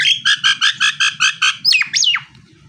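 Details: Male Nias hill myna singing: a rapid train of about eight loud, rich, ringing pulses, then two sharp swooping whistles. Faint low background hum.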